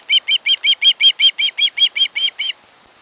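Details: Osprey at its Kent Island, Maryland nest, camera recording from 1 August 2018; a rapid, even string of about fourteen shrill whistled chirps that stops abruptly, followed by quiet.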